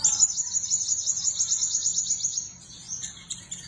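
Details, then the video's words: Seven-colour sunbird chirping and performing: a fast, very high-pitched twittering trill of thin repeated notes for over two seconds, then a pause and a few scattered high chips. "Chim hút mật 7 màu ríu rít giọng hay biểu diễn đẹp"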